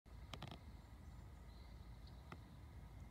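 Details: Pileated woodpecker pecking on a dead log: three quick hollow knocks, then a single knock about two seconds later, over a steady low rumble like distant traffic.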